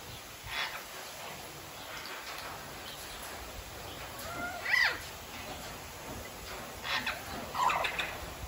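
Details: A Vosmaeri eclectus parrot gives a few harsh, rasping screeches a couple of seconds apart, against a steady background hiss.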